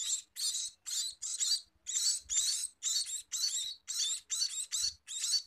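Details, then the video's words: Scaly-breasted munia giving rapid, buzzy, high-pitched chirps in clustered bursts, roughly two per second, with short pauses between groups and faint low thumps in the background. "Meloloh Burung Emprit Peking!!"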